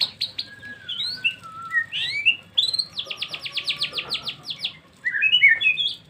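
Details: White-rumped shama song, described as luxurious song material: varied whistles and chattering notes, a fast burst of a dozen rapid repeated notes in the middle, and a faint steady tone underneath.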